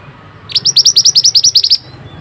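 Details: Mantenan singing, recorded for training other birds: one rapid trill of about a dozen crisp, high, evenly spaced notes, each slightly upswept, over a quiet background.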